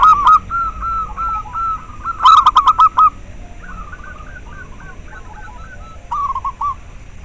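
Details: Local zebra dove song for breeding stimulation and luring. A loud rolling coo opens, then a burst of rapid, hard-edged notes follows. Softer wavering coos and a final brief trill close the phrase.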